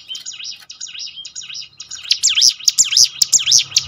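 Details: Mountain prinia song used to coax caged birds into singing more often: rapid, high, wavering whistled notes swooping up and down, about two per second, growing louder and brighter toward the end, with sharp clicks throughout.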